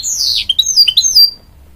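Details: Hybrid goldfinch, a canary and goldfinch cross, singing to encourage young chicks: a brief burst of high, sweeping twittered notes with a descending slur, then quiet.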